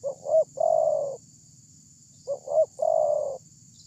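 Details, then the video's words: Spotted dove with a loud voice, recorded as a lure for other doves. Two quick phrases follow each other, each a short stuttered coo and a long, smooth, falling coo, with a steady high-pitched hiss behind. "Terkukur anda langsung respon dengan pancingan terkukur ini ||terkukur suara besar"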